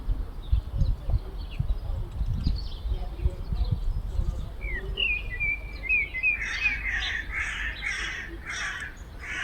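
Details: In a Kupchino residential courtyard, a common blackbird delivers a whistled phrase that breaks into a burst of high, scratchy twittering notes, over loud low rumbling city noise.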